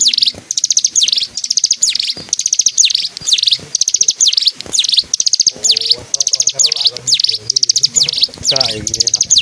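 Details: East Javanese mountain bird in Kediri Regency, Indonesia, used to train magpies for birdsong contests, singing while dancing. Loud, piercing high notes repeat steadily about twice per second, broken midway by softer, lower warbling twitters.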